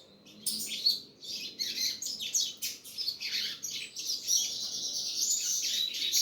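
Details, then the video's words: Double-collared seedeater song building from scattered chirps into a sustained, bright, rolling twitter of high notes that runs to the end. "coleiro gasparzinho filho cachoeira negra"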